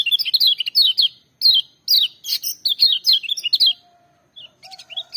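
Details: A Lemon-bellied White-eye sings loudly, with full power, a fast, high, twittering run of slurred chirps and trills in bursts, with a faint low whistle near the end.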